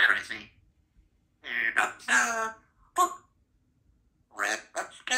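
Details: Symon, a 2-year-old female Congo African Grey Parrot, practises sounds and words, mumbling speech-like phrases in five short, raspy bursts broken by pauses, with one squeaky higher note.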